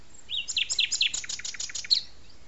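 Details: Song of a common nightingale at La Petite Loiterie arboretum, France: a rising whistle followed by a fast, loud series of sharp repeated chips, about ten notes in under two seconds.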